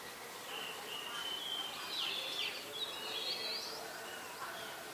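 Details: Malaysian pied fantail, a very common resident, in Ubon Ratchathani, Thailand, on 14 October 2021 around 5 PM, giving thin, high squeaky notes, some sliding upward, in a loose run over steady background hiss.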